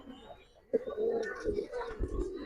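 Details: Giribaz pigeons held together in a collection. Quiet murmuring gives way to a sudden knock, then a run of low, droning coos with soft thuds and flapping noises below.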